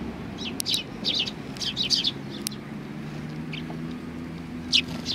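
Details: Sparrows on a bench at Tenmangu shrine, 30 January 2020, give soft clusters of high twittering chirps in the first half, then a lone louder tweet near the end, against a muffled low background rumble.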